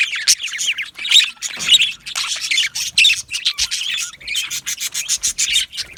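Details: Yellow male budgerigars chirping in an aviary, clipped rapid notes in quick pulses, starting warbled and turning into a rhythmic string of sharp chirps near the end.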